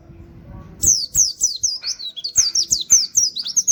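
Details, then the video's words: Oriental white-eye in 'nembak' style with canary-like 'wit wit' notes, used as a master recording for training songbirds: after a low rumble, a rapid run of high, sharply down-slurred whistles, about four per second, with faint clicks beneath. "pleci nembak wit wit kenari cocok buat masteran"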